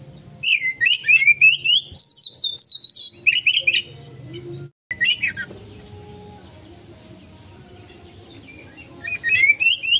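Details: Oriental magpie-robin (kacer) in konslet style, played as a lure for a fast response: long bursts of loud, rapid warbling whistles, some high and sustained, broken by pauses with faint low hum.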